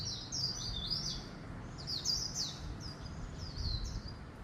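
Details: Swinhoe's white-eye singing a fast, high twittering song of looping, slurred notes in short bursts, with quiet gaps between phrases and low background rumble.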